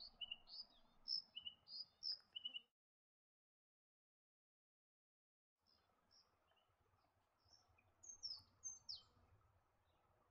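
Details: Slaty-backed thornbill of Australian semi-arid woodland: a quick burst of high, sharp twittering notes, a silent pause, then scattered thin high chirps over faint low background noise.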